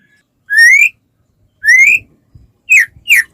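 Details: A white-rumped shama, used to encourage other shamas to sing, gives two long upward-sliding whistles spaced about a second apart, followed by two short sharp downslurred notes, with faint low knocking sounds in between.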